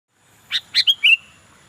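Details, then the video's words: Sooty-headed bulbul singing actively: a short phrase of two buzzy, broad chirps, a quick sharp note, then a slurred whistle that falls and trails off, over quiet background hiss. "burung kutilang gacor"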